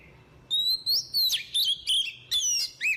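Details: Female Oriental magpie-robin singing to stimulate males, a quick run of clear whistled notes, some sliding down, broken into about seven short bursts within three seconds.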